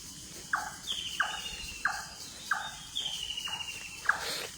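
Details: Foggy early morning with birds calling; clipped descending notes come about every two thirds of a second, a thin falling whistle runs above them, and insects hiss continuously in the background.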